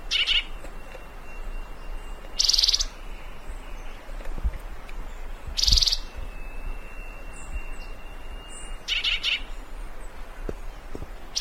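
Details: Thick-billed Euphonia (fruterito picudo), Colombia, a recording meant to call birds: three loud rasping high bursts roughly every three seconds, with a constant thin whine and background hiss between them.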